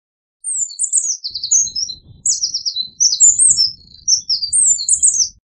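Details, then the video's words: Eurasian wren singing in bursts of quick, high, scratchy descending notes and short twittering phrases, about four bursts over five seconds, with a faint low background rumble. "Eurasian Wren Bird Song, Call, Chirp, voices, Sound - Chochín Común Canto - Troglodytes Troglodytes"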